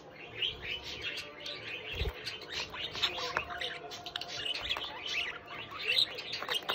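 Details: Pet budgerigar chick indoors chattering in a continuous stream of quick chirps and scratchy warbled notes, with occasional soft thumps and low room noise.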